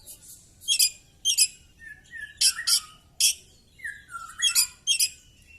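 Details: Fighting Oriental magpie-robin with its tail fanned, mixing harsh scratchy bursts with clear whistled phrases that slur downward, delivered in an irregular, excited series.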